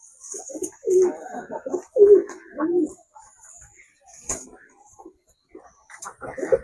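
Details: Domestic pigeons, let out and being fed wheat and maize; a red-tailed pigeon calling a lot gives low, throaty coos in rolling bursts about a second apart, with a man talking and faint clicks and rustles.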